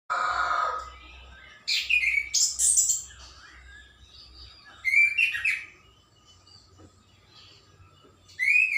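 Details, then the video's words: Birds singing in the morning: loud bursts of sharp high chirps and short whistled notes, some sweeping downward, with quiet gaps between bursts and a faint low hum underneath. "kicau burung pagi hari"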